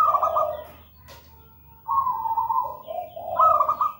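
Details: Local zebra dove singing: a trilled double-pitched coo, a pause with a click, then a long rolling phrase that ends in a bright higher trill.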